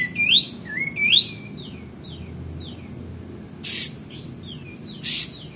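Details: Male white-eared bulbul in full song, meant for training magpie-robins and kacer, gives two loud looping whistles and then several softer falling slurred notes. Sharp noise bursts interrupt near the end.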